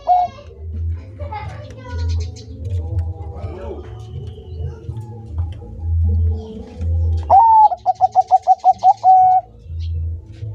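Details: Bangkok-type zebra dove singing energetically: one rising opening coo, then a fast run of about eight short, evenly spaced mid-pitched notes, ending in a held note. A steady low throbbing hum and faint other sounds run underneath.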